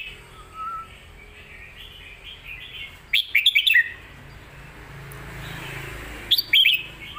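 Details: Red-whiskered bulbul teaching song: after faint low warbling, a quick burst of bright chirpy whistles, then a second shorter burst a few seconds later over steady background noise.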